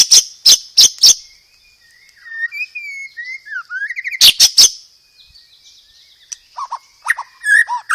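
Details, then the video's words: White-rumped shama delivering a loud, clear song with fighting house-sparrow-style fill and rolling 'roll tembak' phrases: sharp clipped chirps open, followed by soft descending whistles, a fast buzzy roll, then more chattering notes. "PANCINGAN SUARA BURUNG MURAI BATU isian gereja tarung, full materi roll tembak"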